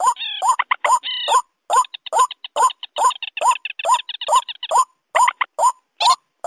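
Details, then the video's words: White-breasted waterhen lure recording mixed with rail calls, for rice-field use day or night: rapid series of short, upward-bending croaking notes, about two per second, with brief higher nasal notes between them. "suara pikat kombinasi ruak-ruak & mandar cocok siang atau malam hari"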